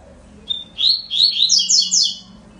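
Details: Song of a double-collared seedeater: a soft lead-in whistle followed by a lively chain of high, overlapping slurred notes rising toward the end, over a faint low hum.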